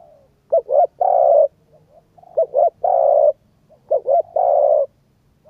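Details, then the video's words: Cooing spotted dove used to stimulate a decoy bird: three low phrases of two short notes then a long steady coo, with soft quieter notes between the phrases. "cu gáy thúc gù kích bổi tập mồi hiệu quả"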